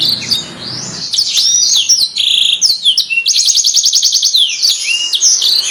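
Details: Master canary song, described as calling friends and fighting; swooping whistled slurs, then a fast, evenly repeated rattling trill lasting about a second, followed by more rising and falling whistles.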